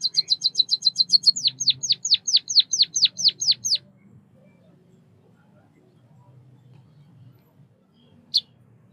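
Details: A White-headed munia (Lonchura maja) from Southeast Asia gives a quick burst of high chirps followed by about ten sharp falling notes, then near silence with one lone chirp near the end.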